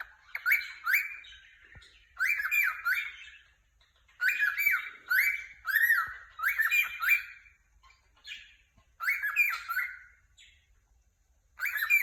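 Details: Cheerful cockatiel chirping: repeated groups of two or three sharp, arched whistles with harsh overtones, bursts roughly every two seconds over a quiet background.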